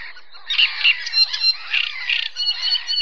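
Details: Loud Great reed warbler song, Zámecký rybník in Chropyně, 18 May 2017, captured on a Nikon Coolpix P900: rapid grating croaks and squeaky rasping syllables in quick, uneven bursts, close and dominant.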